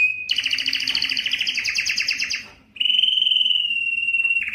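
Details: Belgian canary singing to stir females for mating: a fast buzzy trill of rapid repeated notes, a brief pause, then a long, steady, clear whistled note.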